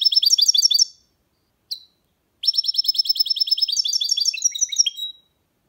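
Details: Hybrid goldfinch mule in song: a fast high trill, a pause with one lone chirp, then a long rapid run of repeated notes becoming varied twittering and ending in lower chips.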